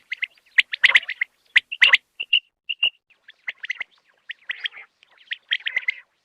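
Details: Common quail call used for hunting: short, bright pulsed notes in tight clusters, given in irregular bursts roughly once a second, with crisp clicks and near silence between them.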